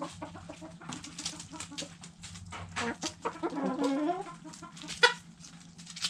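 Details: Backyard chickens feeding on food scraps: scattered pecking taps and rustling, then a run of rising, drawn-out clucks from a hen near the middle, with a sharp loud click near the end.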